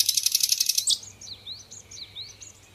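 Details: Nightingale, or sikatan londo, producing a harsh high-pitched rattle for about a second, followed by quieter looping upslurred whistles.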